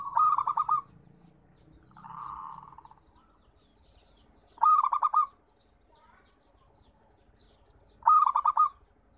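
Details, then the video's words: Local zebra dove repeating its cooing song: sharp stuttered bubbling phrases about every four seconds, with one softer, descending purr between the first two; otherwise quiet. "Suara Terapi Perkutut"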